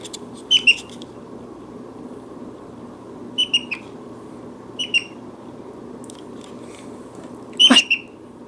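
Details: Pet Brown-headed parrot in a chatty mood indoors, giving short squeaky, whistled chirps in small clusters of two or three notes, spaced a few seconds apart, over a steady low room hum.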